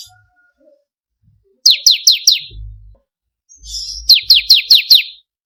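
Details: Ciblek kristal (bar-winged prinia) training song: four quick shrill downslurred chips, a pause with a faint low thump, a short buzzy note, then five more chips in a steady series.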